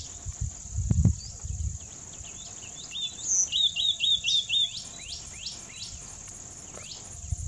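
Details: A single phrase of about six quick repeated whistled notes from a white-naped tit, followed by several downward-slurred call notes, all against a continuous shrill insect drone and a low thump near the start.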